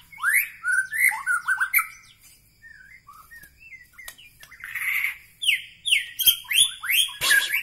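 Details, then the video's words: White-rumped shama from Bahorok, Medan, delivering a long varied song: rising whistles, quick slurred notes and buzzy high trills, with a quieter stretch midway before loud phrases resume. "ciri ciri murai batu Medan Bahorok"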